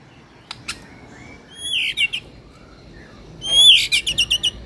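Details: White-rumped shama (murai batu) lure song for training a contest bird: quieter, very high whistled phrases, a bright downslurred note with tight harmonics, then a quick series of five rapid high chips.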